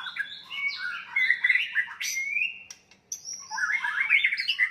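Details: White-rumped shama singing its fighting song to provoke rival males: loud rich whistles and quick chattering notes, a rising slur, then a pause before a fresh burst of mixed phrases.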